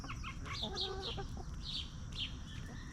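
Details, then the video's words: Free-range hens scratch in the dirt and eat treats while roaming peacefully. Quick clucks and short nasal notes tumble over each other for three seconds, with a constant low background rumble. "Chickens Roaming, Snacking & Clucking"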